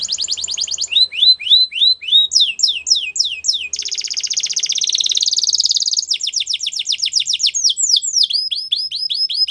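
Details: Belgian canary singing for training young canaries, loud repeated rising whistles, a prolonged buzzy trill climbing slightly in pitch, then renewed quick sweeping notes and rapid chatter.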